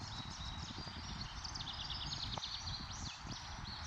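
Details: Downy woodpeckers fighting in Lake County, Illinois, on 8 May 2025 trade thin, high chattering notes and a quick falling whinny, with scattered soft taps over a steady low rumble.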